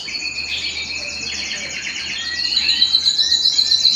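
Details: Canary singing at home, a fast even trill held for several seconds, then sliding into a brighter, louder rolling phrase; faint low hum in the background.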